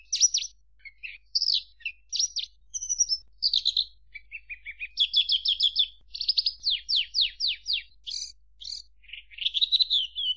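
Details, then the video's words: Varied Javan bush lark song mixing clipped whistles, low buzzy notes and a run of repeated descending slurs, with bursts that speed up into a rattling series before a final warbled trill. "Suara Kicau Burung Branjangan"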